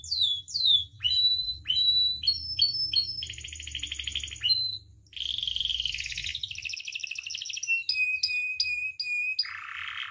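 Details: Varied song of a captive canary used for training and provoking: sweeping whistles, clipped chips, a buzzy trill, a harsh rolling burst, then rapid repeated notes and a lower buzzy phrase, with faint low hum underneath.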